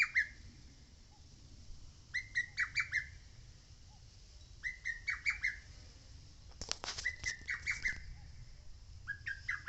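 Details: Mount Oike lesser cuckoo singing repeated phrases of five rapid whistled notes every two to three seconds, with a brief rustling or handling noise midway.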